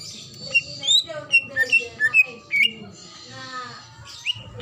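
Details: Female greater green leafbird in breeding condition calling the male: short clear whistled notes, some rising and some falling, given in a quick irregular series, with softer harmonic warbles and a low background hum.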